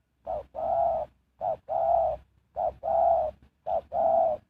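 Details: Decoy spotted dove kept to attract wild doves, singing four steady two-part phrases. Each is a brief coo followed by a longer droning one, repeated roughly every 1.1 seconds with no other sounds.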